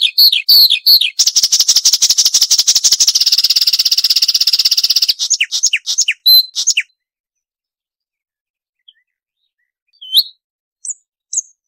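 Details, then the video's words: Marsh warbler song from a clear training recording for caged songbirds: rapid chattering that merges into a long, dense buzzing trill, then several sliding whistles, then near silence broken by a few faint notes. "Masteran Burung Suara Tajam - Masteran Nembak Tajam - Mars Warbler"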